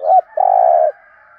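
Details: Deep-voiced giọng thổ spotted dove used as a decoy, giving the thúc gù urging coo: a short rising note followed by a single drawn-out low hum.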